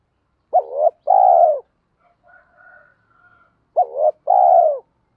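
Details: Male and female spotted doves calling, a recording for stimulating decoy birds in training: a clipped double note then a drawn-out mellow coo, given twice about three seconds apart, with faint soft higher notes in the pause.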